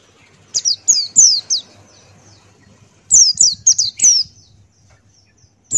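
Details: A male Buxtoni pleci (white-eye) sings lively 'ngalas' wild-type song, beak open. Two rapid bursts of four or five high, sharply falling chirps, with faint background noise and a final single note.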